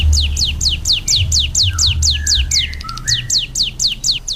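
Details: Ciblek gunung delivering rapid, high, descending whistled notes in an even series. Lower, sliding whistles from another sound weave in midway, over a low rumbling hum.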